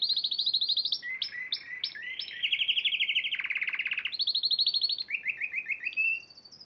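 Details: Champion Spanish Timbrado canary from a March 2014 contest, singing continuous rolling trills that shift between pitches, with clicking runs and a brief rising whistle near the end.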